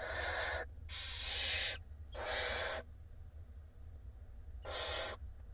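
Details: Barn owl nestlings, six chicks hatched between late March and early April, in a nest box camera in Israel on 17 April 2021 while the mother feeds them: long harsh hissing screeches, four broad noisy bursts separated by silence.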